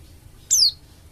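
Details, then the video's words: Bali dakun oriental white-eye, used as a singing lure for other white-eyes: a single shrill whistle gliding downward, slightly longer and fuller, standing alone against soft background hum. "BURUNG PLECI DAKUN BALI GACOR UNTUK PANCINGAN PLECI AGAR CEPAT BUKA PARUH"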